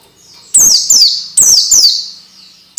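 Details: Training sound for young orange-headed thrush (peleci), played so raw birds start singing fast and persistently: two pairs of bright, intense whistles sliding from very high to lower pitch, then a brief start of another note.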